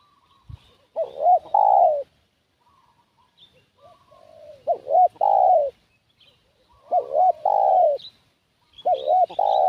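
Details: Spotted dove serving as a decoy for wild doves repeats its cooing phrase four times, about every two to three seconds: short hooked notes leading into a long, falling coo, with quieter coos and faint high chirps between.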